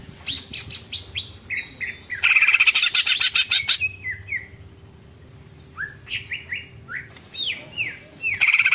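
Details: Greater green leafbird singing in the long ngekek style described as full of tengkek: slurred whistled notes, then a loud rapid buzzy chattering burst of about two seconds, more downslurred whistles, and another harsh burst at the end.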